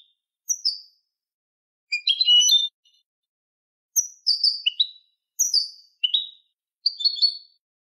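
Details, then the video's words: Canary singing in the malagueño style on a training recording for teaching birds. Short bright chirped notes, often sliding downward, come in separate bursts with clean silence between them. "cd canto malagueño"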